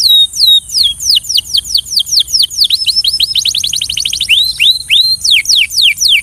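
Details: Belgian canary singing for training, a continuous high melody of sweeping downslurred notes, a fast rolling stretch of rapid repeated notes in the middle, then slower swooping whistles.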